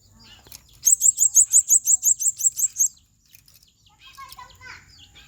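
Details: Blue-crowned hanging parrot in heated 'ngobra panas' singing, giving one quick run of about eleven piercing, very high squeaky notes over two seconds, then quieter lower chirps and twitters.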